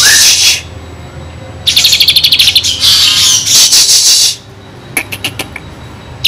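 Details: Kinoi singing with fill-in phrases, tutor song for white-rumped shamas: a harsh high burst, then rapid rattling trills and noisy phrases, followed by sparse sharp clicks.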